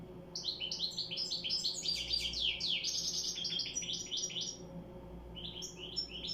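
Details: European goldfinch singing a fast, tumbling twitter of short high chirps and trills, nearly continuous with a brief pause near the fifth second, over a faint low hum.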